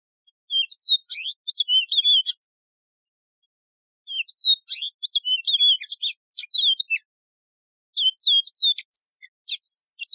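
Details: Yellow-fronted canary singing three long phrases of ringing twitter, each about two seconds of rapid high whistles, sweeping notes and dry trills, with short silent gaps between them.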